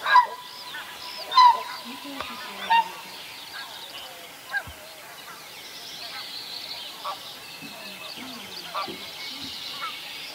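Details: Whooper swan at Vilkkilänturan in Virolahti with an apparent sore throat, drinking constantly and feeding poorly; a few loud, clipped, slightly squeaky honks early on, then quieter scattered calls and faint waterfowl murmur.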